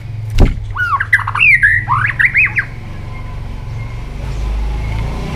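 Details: White-rumped shama morning song for voice training: a sharp click, then about two seconds of looping, slurred whistles, followed by quiet background hum.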